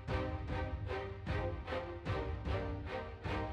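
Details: Dramatic background music with pulsing, repeated chords about twice a second, and no animal sounds.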